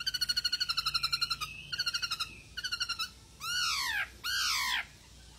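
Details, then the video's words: Masked laughingthrush in energetic full song, played to lure quiet birds into singing: fast rattling series of bright pulsed notes in short bursts, then two loud harsh downward-sweeping squawks. "POKSAY HONGKONG Anda Malas Bunyi,Pancing Dengan POKSAY HONGKONG Gacor ini 75% Pasti Nyaut"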